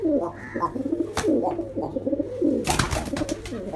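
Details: Angry pigeon during a fight, slapping at a man: low throaty coos in rolling bursts, with several sharp broadband slaps or wing claps cutting through, the loudest cluster near the end.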